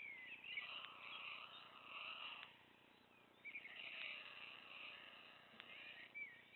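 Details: Very hungry white stork chick in Wilsum, pulling food from its parents' bills, giving wheezy, hissing begging calls in two drawn-out bursts of about two seconds each, with faint outdoor background noise.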